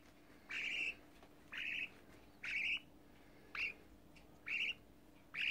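A young budgerigar gives harsh, raspy squawks, each about half a second long, roughly once a second.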